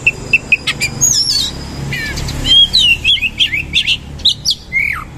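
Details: Oriental magpie-robin (kacer) singing loud rough material with rolls: repeated short sharp chips, then twisting whistled phrases, slurred warbles and a final downslurred whistle, delivered in rapid, varied bursts.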